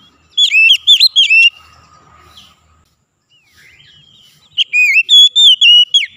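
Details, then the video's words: Oriental magpie-robin song used as therapy to make a lazy bird sing every day: loud, clear whistled phrases of about five rising and falling notes, a short pause with faint soft notes, then another bright burst of repeated whistles. "Kacer malas bunyi jadi rajin bunyi"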